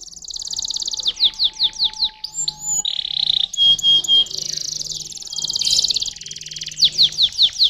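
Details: Continuous canary song: repeated descending chirps, a low rolling buzz, clear whistles, then a long fast trill and more falling chirps at the end.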